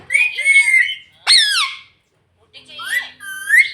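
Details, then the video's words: Pet green ringneck parrot talking indoors in a small room: nasal, squawky speech-like phrases in two quick bursts, a short silence, then a rising, gliding utterance. "mitthu voice - bolta tota very cute - green parrot talking"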